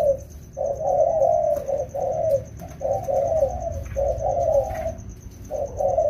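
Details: Spotted doves, a wild-caught pair trained in rainy season, give five evenly spaced cooing phrases of soft, low, burry notes, each phrase lasting under a second, over a constant thin high whine.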